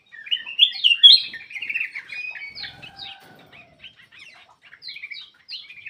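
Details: Ruby-throated bulbul song: a rapid jumble of bright whistled and chattering notes, loudest in the first second and a half, then softer, scattered twittering phrases continuing to the end.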